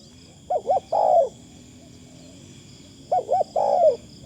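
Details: Decoy spotted dove with a fine, lightly phrased voice: a soft double-noted kruk then a drawn-out warbling coo, repeated after a pause of about two seconds, with constant high-pitched insect drone behind.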